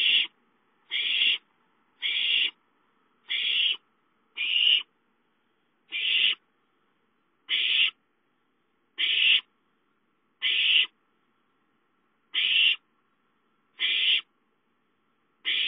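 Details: Young owls at home calling for food on 5-9-13: a long run of short, harsh hissing shrieks, about one every second or so, spacing slightly uneven, background otherwise quiet.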